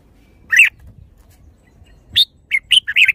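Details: Red-whiskered bulbul uttering one rich chirp, then after a pause a lively string of four or five quick, scratchy notes.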